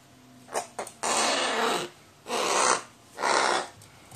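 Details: Crow fussing because it still wants to play at bedtime: three long, breathy, hoarse rasping calls, each under a second, separated by short pauses, with a couple of brief softer sounds before them.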